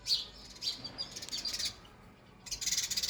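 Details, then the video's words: Sparrow at a feeder while eating, giving bright high-pitched chirps in quick clusters, a short pause, then a fast run of repeated chirps to the end. "sparrow sound effect"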